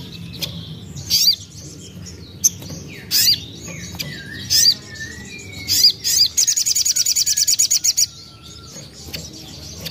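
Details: Common iora, young bird, song played to draw other birds into singing; spaced sharp whistled notes with downward flicks, then a sustained rapid high trill.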